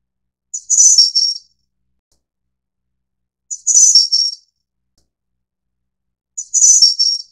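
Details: Taiwan-endemic race innexa of the snowy-browed flycatcher giving a brief, high, sibilant phrase, dropping slightly at the end, three times at steady intervals of roughly three seconds, with a quiet background.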